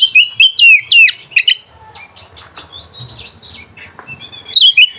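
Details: Oriental magpie-robin lure song to rouse rivals and breeding urge: a fast string of bright whistles, a quieter twittering middle, then another short burst of whistled notes at the end.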